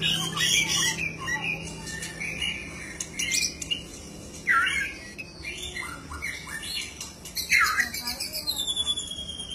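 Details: Lively singing from a white-rumped shama (murai batu): scattered harsh squawks and chirps, swooping upward whistles and a quick series of rising notes near the end, set against quiet background noise.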